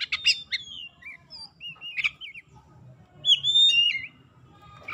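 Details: Oriental magpie-robin lure song for getting reluctant magpie-robins to sing: rapid sharp chips followed by looping, warbled whistles, then a bright sweeping whistle and a scratchy ending, over faint low hum.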